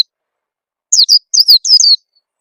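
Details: Oriental white-eye lure call meant to get young birds singing quickly: after a silent start, about a second of six rapid, high, down-slurred chirps against a clean, quiet background.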